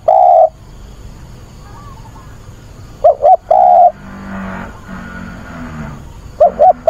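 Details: Weekend recording from 24 August of a spotted dove decoy calling to attract a mate and excite wild doves: a long coo, then a full phrase of two short coos and a drawn-out coo, and two more short coos near the end, with faint low hum between.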